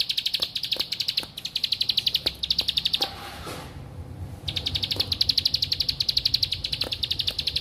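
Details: Bar-winged prinia, a bird used to lure lazy or learning birds into singing, gives rapid trains of high, dry, buzzy ticking notes in two bursts separated by a brief pause, over a low background hum.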